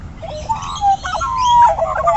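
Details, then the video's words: Australian magpies singing together in the morning in Centennial Park, Australia: rich warbling, fluting phrases with gliding whistled notes and a long clear held whistle, layered over a low steady background rumble. "Magpies sing in Centennial Park"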